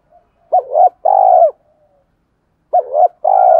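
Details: Cooing spotted dove decoy in 'thổ pha' voice, used to draw forest males in to fight. A rising double note, then a long steady coo, repeated after a pause of over a second.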